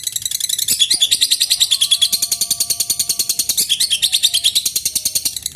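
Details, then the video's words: Lovebird giving a long ngekek bout, a song style used to provoke rival birds into singing: a fast, high, buzzy chatter of evenly repeated rasping notes, about three per second-fraction, running unbroken with faint lower tones beneath. "Lb ngekek durasi panjang, burung lovebird gacor"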